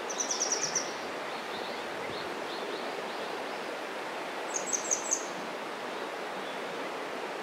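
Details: Grey wagtail in spring breeding plumage, possibly a young male, singing from a rock across a mountain stream: two bursts of rapid, high, sharp repeated notes, faint softer notes between, all over constant rushing water.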